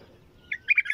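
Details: Bulbul giving a 'طور' style song: a brief burst of bright, bubbling warbled notes, loud and quick, after a short faint thin whistle.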